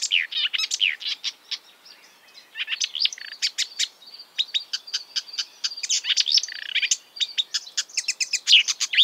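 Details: Marsh warbler, which copies the calls and songs of European and African birds, sings a restless medley of clicks, sharp ticks, buzzy notes and whistled fragments, with quick changes of phrase and no silence.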